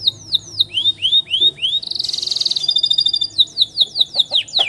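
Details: Canary master song for tutoring young canaries with a long roll: descending slurred whistles, a rapid buzzy trill of even pulses, then mixed rising and falling notes repeated quickly.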